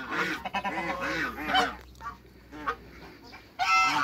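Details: A pair of African geese kept in a backyard with other waterbirds, giving nasal, harmonic honks in quick bursts during the first two seconds, then scattered shorter honks with quieter gaps and a loud burst at the end.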